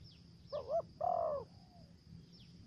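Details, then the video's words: Spotted dove used as a lure bird, in the style called thổ dế with beating notes and a forest style; two short low cooing notes, then a longer slurred coo, over faint high insect-like chirps and a low rumble. "Terkukur Mồi giọng thổ dế, kèm dập, giọng mai rừng"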